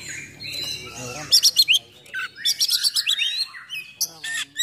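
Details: Oriental magpie-robin song in a sharp 'full nembak' style with harsh fill phrases, used to provoke and train other magpie-robins: high whistled slurs and bursts of rapid clipped notes, about four per second, with quiet pauses between.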